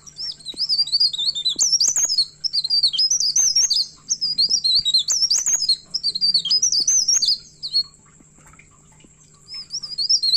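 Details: Myna singing fiercely while looking for a rival: very high, rapid twittering of squeaky, zigzagging notes in dense bursts of about two seconds, separated by short pauses, over a steady faint low hum.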